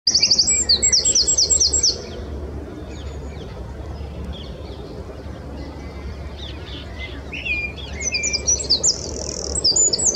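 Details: Eurasian wren singing loudly from a branch beside the Long Water: a loud burst of rapid, high, trilled notes for about two seconds. A quiet stretch with low background rumble follows, then the shrill rattling trills resume toward the end.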